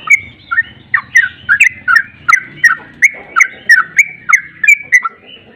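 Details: Steady series of sweet slurred whistles, about three per second, from a sooty-headed bulbul lure meant to make birds respond; a low rumbling background murmur underneath.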